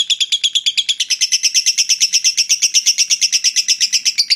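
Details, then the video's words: Long ngekek chatter from a lovebird, sung to stir fighter birds' breeding urge: loud, very regular high pulses about six to seven a second, shifting slightly higher in pitch after the first second. "suara lovebird ngekek panjang fighter bikin jebol birahi"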